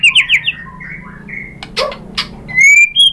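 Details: Shama lure song to coax other murai batu into answering: a few quick bright whistled notes, some dry clicks, then a clear drawn-out whistle.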